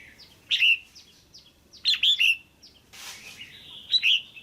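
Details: Caged female red-whiskered bulbul giving pairing calls meant to stir a male: quick bright slurred phrases of two to three notes, repeated several times, with a short rushing noise burst midway and soft background chirps.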